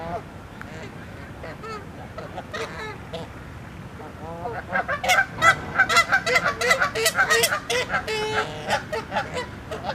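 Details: Fighting Canada geese honking angrily as they attack within the flock: sparse honks at first, building after four seconds into a dense, rapid chorus of overlapping loud nasal honks from several birds.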